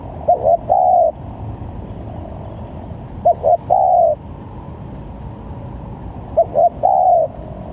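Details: Spotted dove calling for a trapping lure repeats a three-part phrase about every three seconds, two brief coos then a longer level coo, against constant low-pitched background noise.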